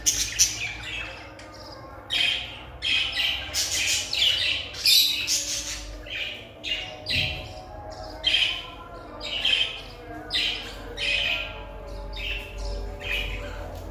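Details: A small yellow pet budgerigar gives a run of harsh, scratchy chirps and squawks, roughly one each second.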